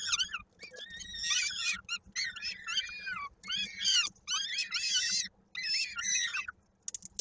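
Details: At a Koszalin, Poland nest on 16 May 2022, young peregrine falcons are fed by their mother as one chick's foot gets caught in a beak; rasping, wavering screeches come in repeated bursts about a second long with short gaps, steady hum beneath.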